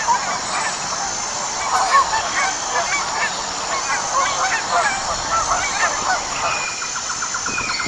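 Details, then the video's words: Flock of wild geese calling: dense overlapping nasal honks, many birds at once, forming a continuous clamour with brief louder bursts throughout, over a steady background hiss. "Sounds of a Flock of Wild Geese"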